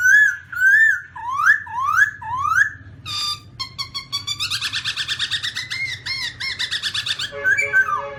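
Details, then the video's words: Black-throated laughingthrush (Garrulax chinensis) giving loud, clear whistles: level opening notes, then rising slurs about every half second, a harsh squawk, and a fast run of chattering notes. "Black-throated laughingthrush (Garrulax chinensis): Funny Sounds"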